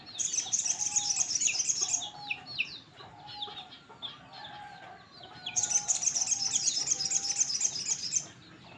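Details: Crimson sunbird singing actively: two bursts of rapid, very high, sizzling trilled notes, each about two seconds long, separated by softer scattered chirps, with faint lower whistles in the background.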